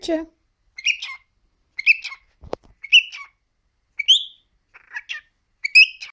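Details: Three-year-old male cockatiel talking: about seven short, bright, chattering speech-like phrases, each roughly half a second long and spaced about a second apart, with one sharp click near the middle and quiet pauses between.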